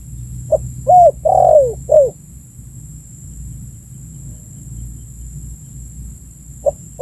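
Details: Spotted dove calling, recorded as a lure to attract birds: one full phrase of soft hollow coos, the longest sliding downward, then several seconds of quiet before the next phrase begins.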